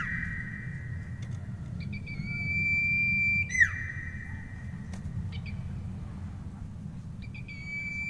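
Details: Common iora delivering a drawn-out level whistle that drops abruptly at its end, followed by softer chips and the start of another whistle, over steady background rumble.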